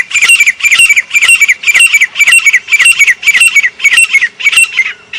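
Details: Grey francolin in Pakistan, known locally as sangli, calling loudly at high pitch. Clipped, harsh notes with a whistled twist arrive roughly twice per second in an unbroken run, with a faint low hum behind.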